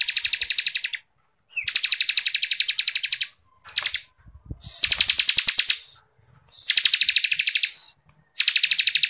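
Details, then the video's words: A ciblek kristal, or Bar-winged Prinia, singing the tight ngebren style used to tutor contest songbirds: long rattling trills of fast buzzy pulses, one brief chip, and hissy high phrases, repeated with short gaps. "CIBLEK KRISTAL GACORRRR FULL NGEBREN RAPAT"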